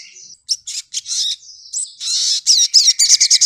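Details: Sogokontong singing a short, varied phrase of thin whistles and buzzy chips. It builds into a quick run of sharp, high repeated notes at the end.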